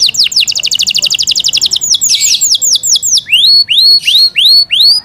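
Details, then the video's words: Song of a captive Yorkshire canary: a rapid rattling trill of tight notes, then slower downward-swooping whistles, finishing with rising curved chirps spaced about half a second apart. "Yorkshire canary Nice sound"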